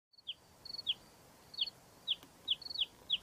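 An Upcher's warbler sings high, sharp downslurred chirps and brief chattering notes, given in small clusters about every half second against faint background hiss.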